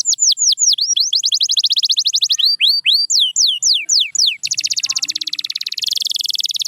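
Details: Canary singing a fast, varied song: rapid series of high descending whistled sweeps, then quick repeated trills, ending in a dense buzzy high roll.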